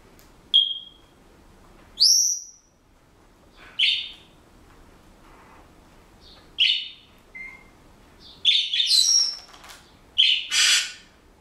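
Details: Household Senegal parrot making assorted noises: a string of high whistles and chirps spaced irregularly, one clean rising whistle early, then denser harsh squeaks and chatter toward the end.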